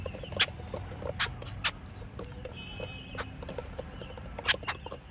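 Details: Jungle babbler's scratchy, squeaky calls come in irregular bursts, with a thin whistled tone and low background rumble between them.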